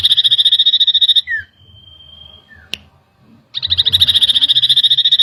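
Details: Common iora worked up by a lure: a sustained rapid trill of even buzzy pulses ends with a downward slur, followed by a thin level whistle, silence, and another long fast trill.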